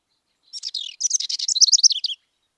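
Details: A House Wren in San Diego gives a complex, rapid, bubbling song of high buzzy notes that jump quickly in pitch, tumbling through about a second and a half.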